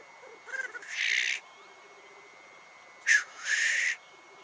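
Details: Two loud, harsh hissing bursts, each about a second long and spaced roughly two seconds apart, from lekking black grouse displaying and fighting at a morning lek in the Cairngorms National Park, with faint bubbling beneath.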